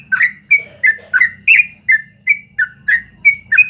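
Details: In the morning a yellow-vented bulbul keeps up a long, lively song: clear, bubbly notes repeated about three per second, each a short slurred phrase, over a soft low rumble of background noise.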